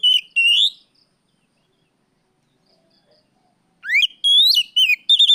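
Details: Afternoon Oriental magpie-robin song used to lure and train other birds; a brief rising whistle, three seconds of near silence, then a sweeping upward note followed by quick varied whistles.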